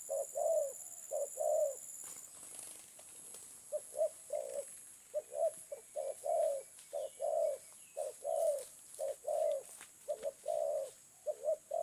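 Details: Spotted dove giving a long run of low, mellow coos, short clipped notes alternating with drawn-out rolling ones in an uneven rhythm, with faint high hiss in the background throughout.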